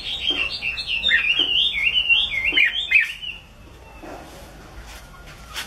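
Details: Chinese hwamei singing a loud, dense string of rolling whistled phrases that dip and rise rapidly for about three seconds, then quiet with faint background sounds.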